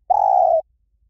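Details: One drawn-out, steady low coo from a Spotted dove in the หลิ่วตัน song style, played to prompt a trained dove to sing back. The coo lasts about half a second against a quiet background.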